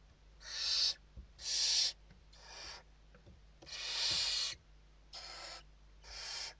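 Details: Nest interior of Western barn owls in Spain, evening feeding, 29 November 2023; six harsh, noisy hissing bursts of varying length, the fourth the longest and loudest.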